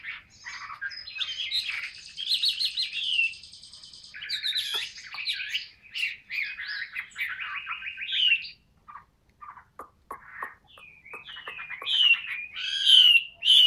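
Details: Chinese hwamei, caged, described as 'ngũ trường cao cầu': long varied song of buzzy trills and rolling whistles, then scattered sharp clicks and chips, ending in loud clear whistled notes.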